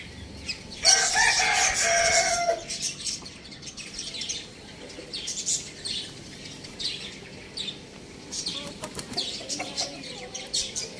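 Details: A rooster gives one crow of about a second and a half, a harmonic call that slides down at its end, while small birds chirp busily in the background.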